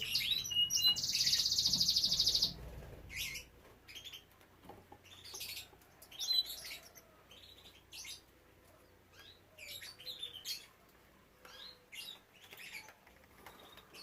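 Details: Captive canaries in a breeding room, with young birds present: a loud, harsh, buzzy note held for over a second opens the clip. Scattered high chirps and twitters follow at irregular intervals.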